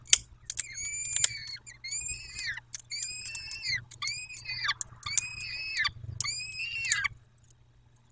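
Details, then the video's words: Peregrine falcons at their nest in Dobra, recorded 14 May at 14:18: a series of loud, harsh, harmonic wailing calls, each about half a second long and falling at the end, repeated in close succession for about seven seconds, with steady low hum behind. "Sokoły - Codzienność w Dobrej"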